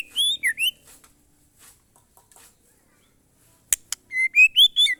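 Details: White-rumped shama (murai batu) delivering monotonous glondong song: brief high whistled notes, a quiet gap with a sharp click, then a run of clear rising whistles.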